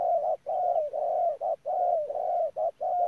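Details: Spotted dove kept as a ground decoy bird at Đức Cơ, cooing steadily: mellow mid-pitched coos run almost without pause, short notes alternating with longer coos that slide slightly downward, in a quiet setting.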